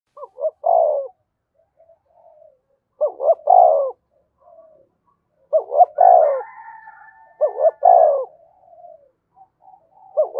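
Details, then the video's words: Spotted dove in the Đồng Nai style of calling and urging coos, used to lure wild doves: low hollow three-part coo phrases repeated about every two to three seconds, four phrases here, with a faint higher drawn-out tone between them. "Tiếng cu gáy Đồng Nai gáy gọi và thúc mới nhất, chim cu gáy kích bổi"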